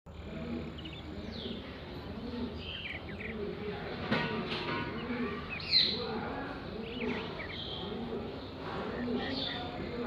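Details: Many sparrows chirp steadily in the early morning: short, high, overlapping cheeps from several birds at once, over a low murmuring background that may include distant voices.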